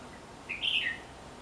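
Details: A red-whiskered bulbul near a house gives one short, bright warbled phrase, rising then dropping, lasting about half a second over a soft steady hiss.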